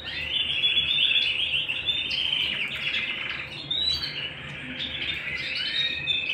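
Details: A canary sings at home: rapid chattering trills, about four notes a second, mixed with bright whistled slurs and short rising sweeps, continuous throughout, a low mains-like hum underneath.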